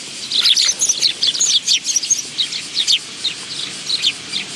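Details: Willow tits crowd a bench feeding spot at a Tenmangu shrine on 10 August 2022, producing a dense, overlapping chatter of high twittering chips with barely a pause throughout.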